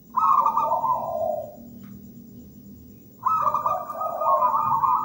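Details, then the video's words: Zebra dove from local wild stock, two loud vibrating coo phrases, each a high trill over a lower purring tone, separated by about two seconds of quiet hum. "PERKUTUT GACOR MERDU MEWAH"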